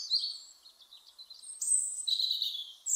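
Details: European robin, a UK garden bird, with thin, high warbled notes, a sustained sharp whistle and a short trilling phrase over a light background hiss.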